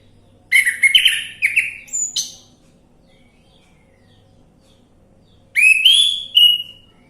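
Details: Orange-headed thrush singing on a lure recording to prompt another bird: several quick phrases of sweet whistles and sharp slurred notes, a pause, then a rising whistled phrase and a final note.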